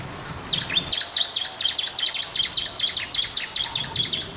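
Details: Bar-winged prinia singing energetically, a master recording for stimulating silent birds: fast, even string of about fifteen sharp high notes at roughly four per second, clean with little background.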